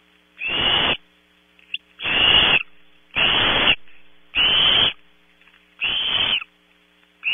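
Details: Young barn owls at night in a nest at Audubon Starr Ranch, California, squabbling over a 3 a.m. prey item: loud, long rasping hisses, five broad noisy bursts repeating roughly every second and a half.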